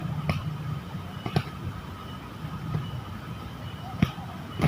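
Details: Background traffic hum with a few sharp clicks and a faint steady tone, and no animal voices.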